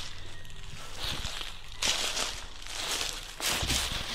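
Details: Footsteps and rustling with crunching bursts outdoors, and no animal voice.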